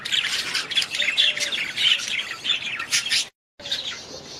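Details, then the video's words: Many budgerigars twittering and squawking in a constant scratchy warble, broken by a brief full silence near the end before the chatter resumes more quietly. "Budgies sound"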